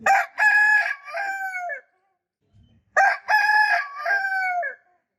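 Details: Two loud rooster crows about three seconds apart. Each is a clipped first syllable followed by a sustained, ringing, slowly falling phrase, with a brief soft cluck in the pause.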